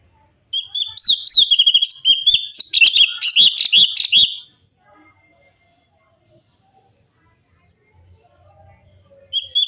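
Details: Cucak cungkok bulbul in full, lively song, recorded as a tutor track for training other songbirds: rapid, varied chattering run of bright whistled and slurred notes lasting about four seconds, then near silence before another phrase begins at the end.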